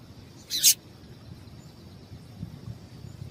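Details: A female Double-collared seedeater utters one quick, high, buzzy double chip near the start, a call said to prompt males to sing; the rest is low rustling background noise.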